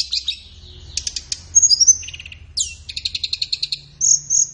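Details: Training song of a flowerpecker for caged birds, meant for morning or afternoon sessions: high chirps, quick stuttering trills of about a dozen notes, a thin drawn whistle, and a final pair of clear piping notes.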